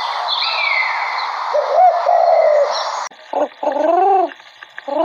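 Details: Pigeon cooing: after a stretch of loud broadband hiss, short low arched notes come in bursts, each a rising-then-falling hum, repeated several times in the second half.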